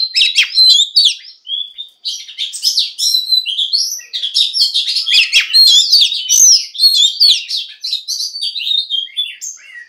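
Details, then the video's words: Near-continuous song of a female Oriental magpie-robin meant to stimulate males to sing: a rich, rapid jumble of whistles, chirps and trills running almost unbroken for ten seconds. "Choè than mái kích trống hay nhất"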